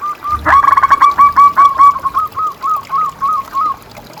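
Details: ['Zebra dove song, a lively local bird used to train and lure caged doves. A loud rapid roll of cooing notes slows into evenly spaced soft coos, about two or three per second.']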